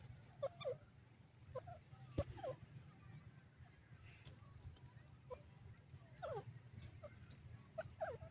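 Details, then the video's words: Francolin calling over a steady low rumble, with short sharp call notes in pairs and small clusters every second or so, separated by quiet gaps. "dakhni teetar ke awaz,dakhni teetar ki voice"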